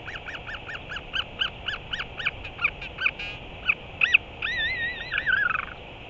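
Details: A Northern Royal Albatross chick at its nest makes its first adult-like vocalization, a skycall, on February 28, 2023, after a morning visit by another chick's parent: a thin, rapid series of rising squeaky notes, then wavering, whining whistles.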